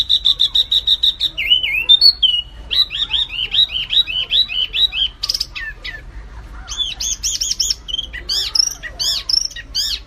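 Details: White-eye singing: a long, fast, varied string of high chirps and arched whistled notes, some trilled rapidly, others spaced, shifting pattern every second or two; steady low hum beneath.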